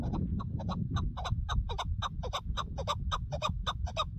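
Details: Chukar partridge recorded while hunting partridges, a rapid, dense volley of harsh repeated chuck notes over constant low background rumble.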